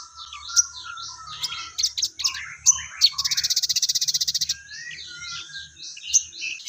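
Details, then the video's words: Crested jay (sogon) calling among busy high chirps and squeaks; midway a fast, regular rattle of about twenty pulses runs for over a second before the chirping resumes. "Burung Sogon Gacor Materi Full Gereja Tarung"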